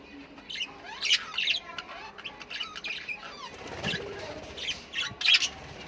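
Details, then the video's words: Australian parrots giving rough, grating squawks and shorter chirps in quick irregular runs, with a louder double squawk near the end. "Australian Parrots sounds"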